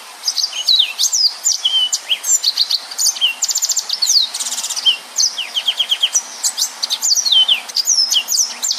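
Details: Dense 'nembak' song of a yellow-fronted canary, meant for tutoring other cage birds: a nonstop stream of high rising and falling whistles broken by several fast rattling trills, phrases packed tightly together.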